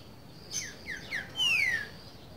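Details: Green-winged saltator singing the classic boiadeiro-style song used to teach young birds: clear whistled notes slurring downward, a few short slides followed by one longer, louder descending whistle, with faint background hiss.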